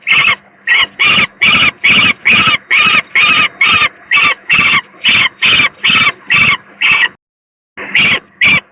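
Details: A young peregrine falcon at a nest on a power plant in Gdynia, Poland, 18 May 2023, reported as very unwell, gives harsh, rasping calls a little over two per second in a long steady series with one brief pause over a faint hum.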